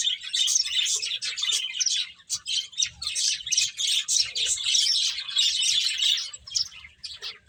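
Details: Several finches feeding, giving a continuous dense chatter of high, rapid chirps and twitters with barely a pause throughout.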